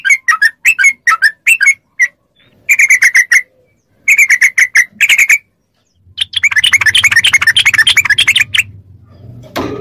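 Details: Yellow-vented bulbul training song meant to get caged bulbuls answering: rapid bursts of bubbly chirped notes in clusters, ending in a dense chattering run over a low hum.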